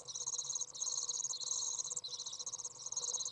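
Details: Young Common Swifts out of the nest on a very warm 30°C day in June 2011, a parent arriving to feed them; continuous high, shrill trilling in short wavering phrases, each about half a second long, overlapping without pause.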